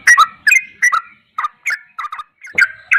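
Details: Sooty-headed bulbul singing ropelan goklikan style: short gurgling two-part notes, bright and slurred, given rapidly in irregular bursts with brief pauses between, on a clean silent background.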